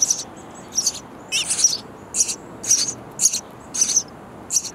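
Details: Nestling sparrows chirping loudly inside a bird house nest as parents deliver insects; repeated high, scratchy chirp bursts nearly twice a second, some doubled, with a steady hiss underneath.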